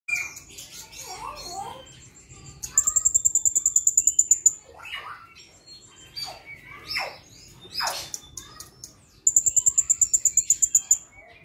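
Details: Caged male Sumatran blue-crowned hanging parrot, kept daily, answering a lure recording at once. Very high rapid buzzing trills of evenly spaced pulses alternate with thin squeaky chirps and sliding whistles.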